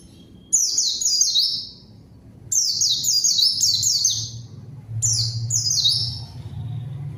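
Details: White-eye song played as a lure to provoke a rival and set silent birds singing: high, rapid, downward-slurred twitters in three bursts, over a steady low hum in the background.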